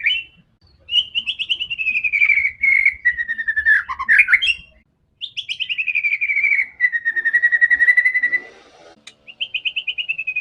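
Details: Combative white-rumped shama song meant to stir up other shamas: long rapid trills sliding gradually down in pitch, broken by twisting flourishes and short gaps, in a quiet setting.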